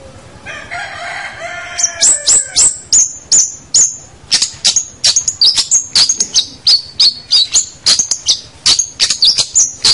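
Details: Long-tailed shrike song meant for training young captive birds: a soft warbled opening, then a long run of sharp, high chipping notes repeated rapidly and unevenly.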